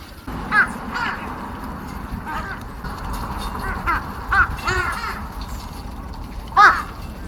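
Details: Crows at a feeding on January 23, 2026 give loud, rasping caws, singly and in a quick pair, separated by quieter stretches of low rumble and faint voices.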